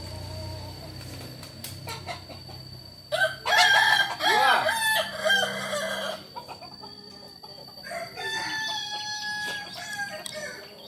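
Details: Kukuak Balenggek chicken from Solok gives a long, stuttering crow of many quick syllables lasting about three seconds, pitch rising and dipping, then fainter crows from other birds trail off in a quiet setting.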